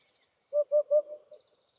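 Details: Eurasian hoopoe (Upupa epops), call.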